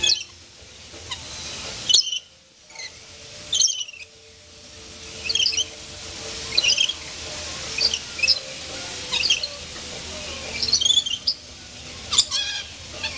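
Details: Lorikeets playing around in an enclosure at the Columbus, Ohio zoo on 16 October 2014: sharp high screechy squawks in short bursts every second or two over a constant background hum and crowd murmur.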